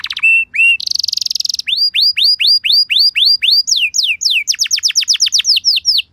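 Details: Canary trigger song (pancingan) meant to prompt caged canaries to reply: a brief buzzy trill, then a run of upward-hooked whistled notes, ending in quick descending slurs.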